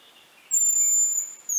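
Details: A Hazel grouse (Tetrastes bonasia) from Central Russia gives one long, very high, thin whistle of about a second at a steady pitch, over faint background hiss.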